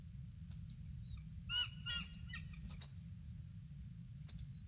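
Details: Bald eagle pair at the nest, the male calling as his mate lands in the tree, nest camera, evening of February 18, 2016: a couple of high, thin, piping chirps over constant low-pitched background hum.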